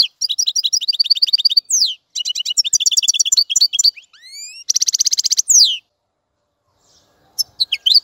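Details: European goldfinch delivering quick chattering twitters mixed with clear rising whistled slurs and a short buzzy trill, then falling silent before a few final notes.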